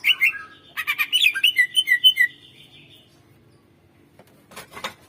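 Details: Greater green leafbird master song for prompting birds that rarely sing: a quick burst of varied whistles and chirps for about two seconds, then near silence with a few scratchy notes at the end.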